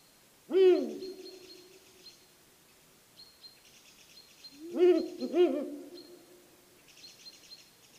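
Deep, hollow Ural owl hoots: one single note, then a pause and a closer pair a half-second apart. Faint high twittering from small birds carries behind.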